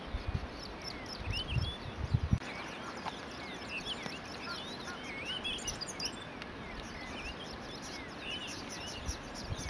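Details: Cape canary (Serinus c. canicollis) at Kirstenbosch, Cape Town, South Africa, 26 July 2012, sings a fast, continuous twittering of high, thin notes and short trills over low rumbling wind noise and a few thumps.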